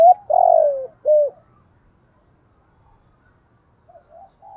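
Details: Spotted dove cooing, played to draw in wild doves: a long, full, downward-sliding coo followed by a shorter arched coo, then quiet with faint distant cooing notes near the end.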